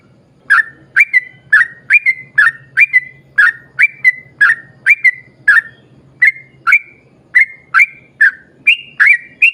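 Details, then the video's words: Rapid, slightly uneven series of clipped whistled notes, some paired, given by a yellow-vented bulbul in a long lively song played to prompt other bulbuls to sing; steady low hum underneath. "trucukan gacor ROPEL PANJANG buat pancingan trucukan agar bunyi"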